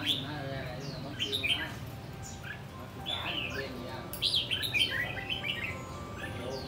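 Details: Rồ ché song from a caged red-whiskered bulbul in a tall square four-perch cage: quick chattering runs of high whistled and slurred notes, densest toward the end, with steady low hum behind.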